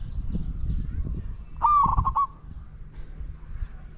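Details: Spotted dove used in decoy luring of wild doves, giving one short harsh coo of about half a second with a rolling, broken ending, over low rumbling background noise.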